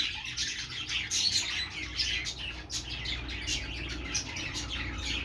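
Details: Happy budgerigar twittering, an unbroken run of high chirps and squeaks, with a steady low hum underneath.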